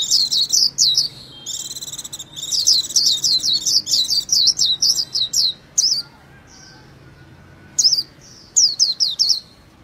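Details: Japanese white-eye pouring out long runs of high, twittering, down-sliding notes, then pausing before scattered single chirps and a closing quick series.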